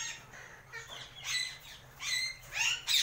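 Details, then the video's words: Untamed Alexandrine parakeets kept as pets give a sequence of rough, rasping squawks that grow louder toward the end, each lasting under half a second. "Alexandrine Parrot Voice"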